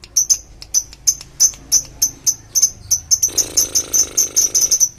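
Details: Lovebird lure recording of long ngekek: sharp, high chirps repeated about five per second, speeding up, with a harsh buzzy rattle underneath near the end.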